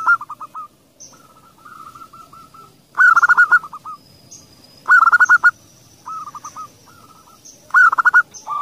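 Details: Zebra doves, a female calling followed by a male's call: loud bursts of rapid stuttering cooing notes recur about every two seconds, between quieter series of short repeated coos.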